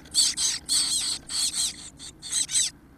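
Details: High-pitched squeaky begging from 17-day-old Chestnut-backed chickadee chicks being fed near fledging; loud hissing bursts about a third of a second long come in quick succession with brief gaps, over a faint low hum.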